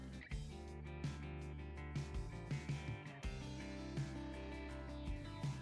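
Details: Plucked guitar music plays steadily with rhythmic strums and deep bass notes, and no animal voice is heard.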